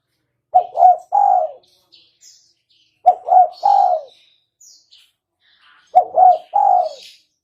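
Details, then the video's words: A spotted dove calls three times in a trapping lure recording, each phrase two clipped coos followed by a longer, softer hoot; faint high twittering of other birds fills the gaps. "Suara burung tekukur"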